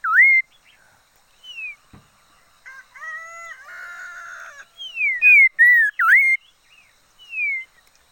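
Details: Singing decoy red-faced liocichla gives clear whistled notes, some sliding downward, one dipping then rising. A dense buzzy burst in the middle is followed by a cluster of loud ringing whistles and a final soft descending note.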